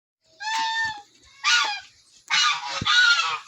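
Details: Turkey in the Philippines, where eight of ten turkey eggs have just hatched: two harsh, honking calls with stacked harmonics, each about half a second long, then a longer, louder, rougher double call, with faint clicks underneath.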